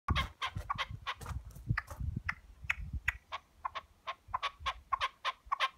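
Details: Wild red-legged partridge visiting a chicken enclosure on a farm, calling while near people: a fast series of harsh, clipped chuck notes, uneven in spacing, over low thumping and rustling sounds.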